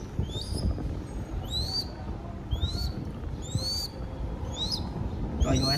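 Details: Captive baby crested goshawk in Cambodia during feeding. It gives six sharp, upslurred whistled squeals in steady succession, each short and piercing, over a soft low background hum.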